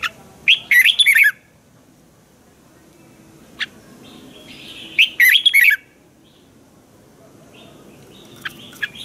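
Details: Caged Red-whiskered bulbul from Thailand with its training song: two lively phrases of warbled whistles about four seconds apart, with softer scattered notes in between and after.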